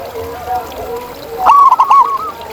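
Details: Zebra dove recorded in nature: soft, low cooing from distant doves, then one nearby bird breaks in with a loud, rapid rolling coo phrase.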